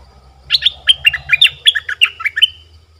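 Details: Decoy streak-eared bulbul calling to lure wild birds; a lively string of about a dozen sharp, bouncing chirps, alternating high and lower notes, with a low rumbling hum in the background.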